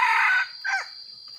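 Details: Rainy-season decoy red junglefowl crowing: a strong, rasping opening phrase of about half a second, then a shorter hoarse note that bends downward, over a faint hum.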